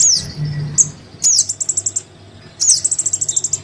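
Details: Lure recording of a young crimson sunbird calling for its parent: high downslurred squeaks, then quick even runs of sharp ticking chips, two bursts roughly a second apart.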